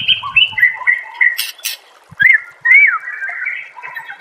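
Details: Master-recording song of a white-rumped shama for training cage birds: flowing whistled phrases, sharp downslurred notes and a few raspy bursts, with faint low knocks early on.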